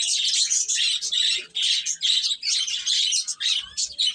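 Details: Chicks calling in a near-continuous chorus of thin high peeps, about two bursts per second, voices overlapping densely.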